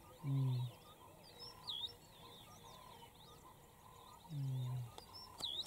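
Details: White-browed Coucal in Queen Elizabeth National Park, Uganda, in August 2022, giving its special call: two deep, hollow hoots about four seconds apart, with thin whistling calls of other birds behind.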